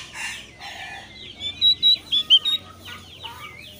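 Javan grey-throated white-eye singing: a quick run of five or six high, clear whistled notes, with softer chattering phrases before and after.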